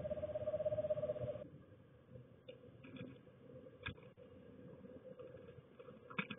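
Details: Female eastern screech owl giving courting calls in a backyard late on an early-winter evening: a steady, even, low trill on one pitch for about a second and a half, then near silence with faint scattered clicks and knocks.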